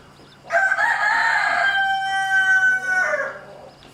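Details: Rooster harassing a mother hen and her chicks gives a full crow, a loud, rich, buzzy cry of about three seconds, holding steady then dropping at the end; a low steady hum underneath.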